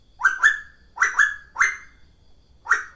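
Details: Cuckoo, known as tuwu, calling actively: short clear whistled notes rising sharply, given in quick pairs about once a second, with bright overtones and a quiet background.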